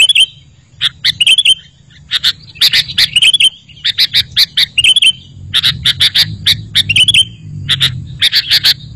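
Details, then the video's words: Bait recording of a sooty-headed bulbul: steady series of crisp high chirps with occasional short whistled flourishes, over a faint low hum. "Suara Masteran Burung Kutilang Berkicau, Kutilang Auto Nyaut"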